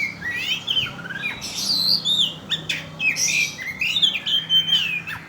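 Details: Oriental magpie-robin singing a lure song meant to provoke birds: a continuous, rich run of loud whistles, slurred up-and-down notes and harsh scratchy bursts, with a faint low hum underneath.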